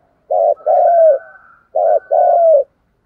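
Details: Spotted dove cooing to draw in wild doves, 'thúc gù' style in a low voice: two clear phrases, each a brief hoarse note then a drawn-out falling coo, separated by a short silence.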